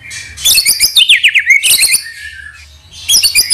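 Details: Lure song of a white-rumped shama (murai batu), meant to excite other shamas into singing: a fast, busy phrase of mixed whistles and trilled slurs, a lone drawn-out whistle, then another burst.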